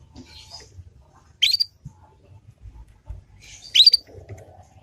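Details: Ngriwik sound of a young Yorkshire canary, used to prompt other canaries to respond and copy: two bright rising chirps about two seconds apart, each with softer twittering just before, plus light low knocks.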